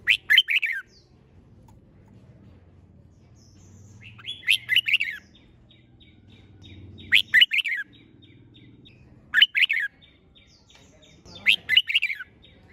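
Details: Red-whiskered bulbul in singing contest mode, repeating a short, sharp warbled phrase about every two and a half seconds, with faint quieter chatter between phrases.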